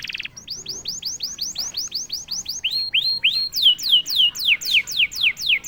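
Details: Canary singing after being prompted to break its silence, delivering a long run of repeated slurred whistles, first falling, then rising upslurs, then quick steep downslurs at roughly four per second.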